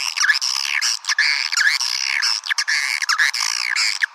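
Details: Swiftlet lure call played to attract swiftlets: rapid, continuous twittering chirps, each with two bright high bands and quick up-and-down sweeps, running almost without pause, with only brief gaps between bursts.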